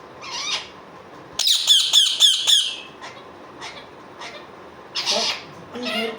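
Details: Indian ringneck parakeet giving a quick burst of five harsh, ringing squawks, followed by scattered shorter screeches and chatter.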